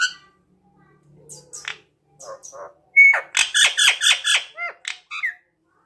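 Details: Captive Indian ringneck parrot in an aviary: a few scattered squeaks, then a quick series of harsh, rasping squawks repeated about twice a second, ending with short squeaky notes.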